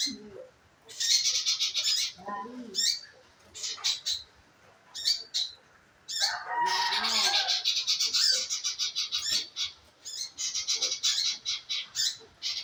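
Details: Lure to make a scarlet minivet sing: fast, high chattering call series with many quick repeated notes, broken by short gaps, and some lower-pitched twittering from other birds mixed in.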